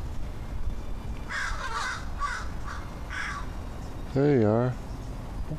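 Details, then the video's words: Talkative crows making strange sounds: several harsh rasping calls in a loose series, followed by a loud wavering, voice-like sound with stacked bands, over low background noise. "Crows sure make strange sounds"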